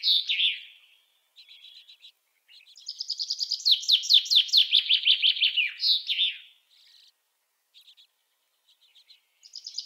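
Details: A common chaffinch, kept as a songbird in a village, sings a bright, cascading run of notes that speeds up and drops in pitch before a terminal flourish, with short chirps before and after.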